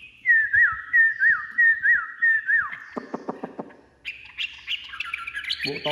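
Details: Caged Chinese hwamei just out of its box: a series of looping whistled notes repeated roughly every two-thirds of a second, then a burst of low rapid harsh pulses and a return to high, varied warbling.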